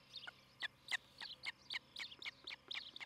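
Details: Osprey at its nest near Charlo, Montana, on a July 2018 morning: an uneven chatter of short, high, squeaky chirps, several every second, with overlapping fainter notes in the background.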